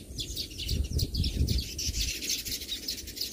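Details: Baya weaver flock giving quick, high twittering chirps in an unbroken stream, backed by a low rumbling background that swells and fades.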